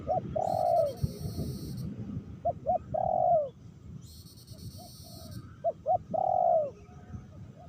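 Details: Spotted dove used as a lure bird, calling while rain falls in Meratus: mellow phrases of two short coos and a longer drawn coo, repeated roughly every three seconds, with rain patter and bursts of high, harsh buzzing.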